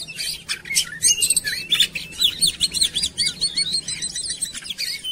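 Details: Oriental magpie-robin lure song with a rapid stream of repeated zigzag whistles and chirps, steady and energetic, over faint low background noise.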